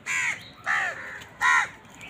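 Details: Three loud, harsh caws from crows fighting for food, each a short, grating, down-curving note spaced about 0.7 seconds apart, with quiet in between.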